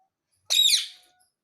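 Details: Pet talking parrot saying "mummy" indoors: one short, bright, high-pitched word of about half a second, with a fading tail and no other sounds.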